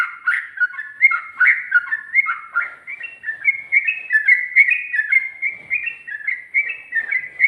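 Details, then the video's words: Ropel song of a sooty-headed bulbul in the ngikluk style: liquid whistled notes rolling up and down in a steady rapid stream, slightly louder and higher toward the middle. "Burung Trucuk Ropel,ngikluk...ada ngGARUDAnya juga"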